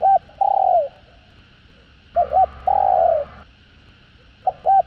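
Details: Spotted dove giving a full song of calling, urging and cooing phrases, played to stimulate other doves: short paired hoots, then a longer, slightly falling coo, repeating about every two seconds, low and mellow.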